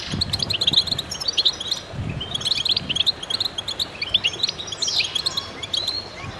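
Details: Several goldfinches singing in concert: fast, liquid twitters and sharp high chirps in overlapping bursts, with occasional soft low knocks underneath.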